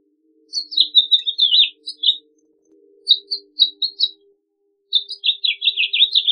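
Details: House Finch singing three warbled phrases separated by short pauses. Each phrase strings together quick high chirps and slurred notes, and the last runs into a rapid, buzzy trill. A faint low hum sits beneath.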